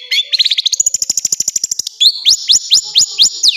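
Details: Long-tailed shrike master song rich in filler phrases, for training other birds: quick chirps lead into a steady clicking rattle of about twenty notes, followed by a series of sharp, upslurred whistles repeated every quarter second.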